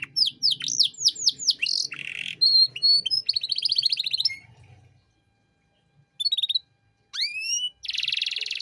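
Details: Canary 'cengkok mewah' master song for training young birds: quick swooping whistled notes, buzzy bursts and a trill, then a pause, short separate phrases of rising whistles and a final buzzy burst.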